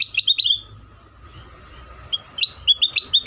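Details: Lure song of a sooty-headed bulbul for prompting other bulbuls to sing: a quick run of sweet, slurred chirps, a brief gap, then another rapid burst of bright notes.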